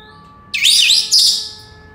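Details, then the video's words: Senegal parrot whistling: two loud, high, bending notes, the first twisting up and down, the second shorter and steadier, fading out over about a second; faint steady background hum. "Senegal parrots sounds تصفير جميل و محفز لببغاء اليويو السنغالي"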